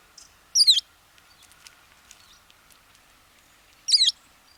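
American tree sparrow gives two brief, high, tinkling phrases of quick falling notes about three seconds apart, over a faint steady background hum.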